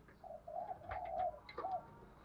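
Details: Faint spotted dove 'thúc gù' cooing, a few smooth mid-pitched coos against noisy background with clicks and rustles.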